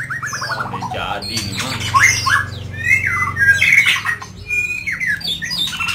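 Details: Medan-type white-rumped shama singing vigorously at night: a rich, varied stream of clear whistled phrases, slurred and sweeping up and down, with a low steady hum underneath.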